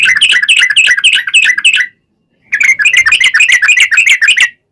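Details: Yellow-vented bulbul in full song with a long run, used as a lure to make other bulbuls sing back: rapid bubbly warbled notes in two long runs, split by a short pause.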